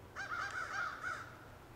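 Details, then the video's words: Crow in woods giving a drawn-out harsh cawing call, several rough pulses run together over about a second, with a faint low hum behind. "Crow Calls in Woods"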